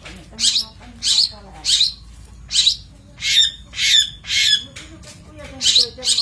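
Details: Long-tailed shrike, master recording for training birds: loud, harsh, grating squawks in a steady series about every half second, with faint tonal whistles underneath.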